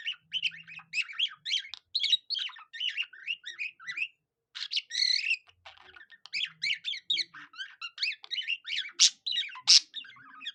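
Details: Budgerigar copying cockatiel song with a soft, continuous chatter of thin squeaks and twittering whistles, a short break, then livelier trills topped by a couple of sharp high peeps.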